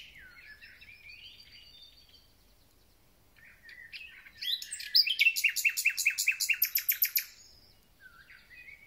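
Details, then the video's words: Singing thrush nightingale in early spring: warbled, slurred whistles, a short pause, then a powerful rapid series of repeated clicking notes lasting about three seconds, ending on a single soft whistle. "Słownik Szary koncert na całego to znak że zaczęła się wiosna ."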